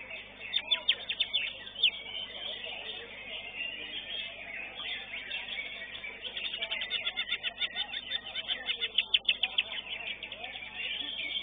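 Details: Greater green leafbird, caged, singing at a bird song competition in Indonesia: dense, fast chattering and rapidly repeated high notes, continuous throughout, with faint background noise.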